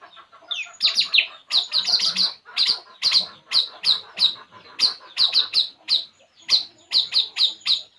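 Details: ['Puling bird, relaxing, chirping steadily: a long series of sharp high notes, singly and in pairs, with a steady rhythm throughout.']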